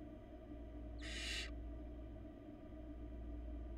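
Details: Barn owl nestling on a Florida nest cam, old enough to eat small pieces of food alone, gives one harsh broadband hiss of about half a second against steady low hum.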